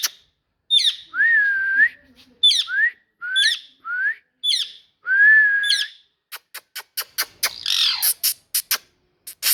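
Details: Parrot reported as talking: sharp squeaky notes each followed by a rising or level whistle, repeated five times, then a burst of rapid clicks and a noisy, hissing squawk.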